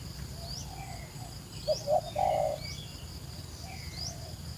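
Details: A wild spotted dove calling in flooded rice fields on a foggy early morning gives one short phrase of three low, soft coos, with thin high chirps from small birds and a steady low rumble behind.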